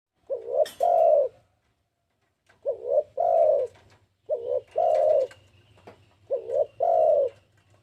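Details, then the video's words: Spotted dove recorded as a lure call: four cooing phrases about every two seconds, each a quick rising double coo and then a longer, full, slightly falling coo, over a faint low hum. "PANCINGAN BURUNG TEKUKUR"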